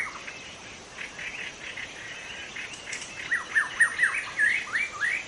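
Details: Wild forest white-rumped shama, call for luring other shamas: soft jumbled phrases building into louder bright whistled notes repeated about twice a second.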